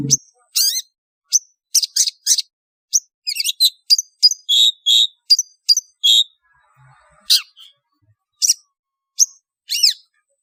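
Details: Long-tailed shrike calling to attract and gather birds: series of sharp, squeaky high chirps and short buzzy notes in rapid irregular groups, pausing briefly before a few spaced single chips.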